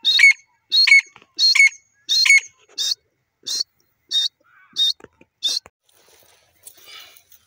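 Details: Grey francolin, or teetar, calling: a series of eight sharp, high, chirping notes about once every 0.7 seconds. The first four are stronger and ringing, the later ones thinner, then near silence with faint rustling.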